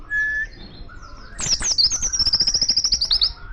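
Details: Oriental white-eye singing energetically in the wild, calling other white-eyes: a soft whistled note, then a fast, even trill of high chirps lasting about two seconds.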